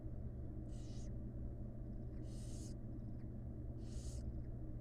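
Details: Begging barn owl chicks, wild and nesting in a research nest box, being fed by the mother. Three long, rasping hiss-screeches sound at roughly one-and-a-half-second intervals over a constant low hum.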